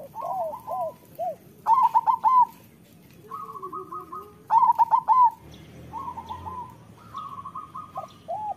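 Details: Master song of local zebra doves to prompt reluctant birds: loud, fast, stuttering coo bursts about three seconds apart, mixed with soft coos and steady strings of repeated notes.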